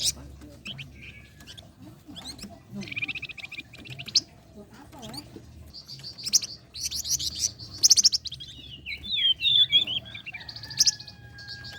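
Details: Flame-breasted flowerpecker song for luring and training contest songbirds. Scattered high ticks and short buzzy trills build into loud, sharp chips and a burst of fast, swooping, whistled notes.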